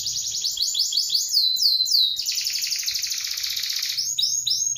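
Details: Canary in a breeder's collection singing a continuous, loud song: fast rolling trills of repeated downslurred high notes, shifting into a dense buzzing roll, then renewed swooping high trills, with faint low background rumble.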